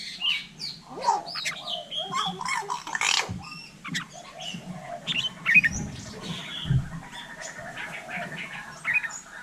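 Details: Hill myna in Vietnam mimicking human speech: a jumble of harsh squawks, sharp whistled notes and speech-like bursts, with a loud raspy outburst near the middle and a low murmur underneath throughout.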